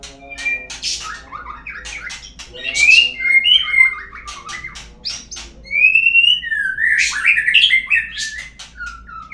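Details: White-rumped shama song used as a lure to make other birds sing: rich, varied whistled phrases, rising and falling slurs mixed with harsh chirps and squawky notes, delivered in quick continuous bursts with a low steady hum beneath.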